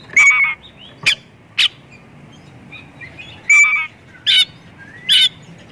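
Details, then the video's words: Repeated loud White-rumped shama phrases of clear whistles with buzzy overtones, about six bursts spaced roughly a second apart, played to lure other shamas into singing; faint hiss between. "Kacer gacor full isian pancingan burung Kacer"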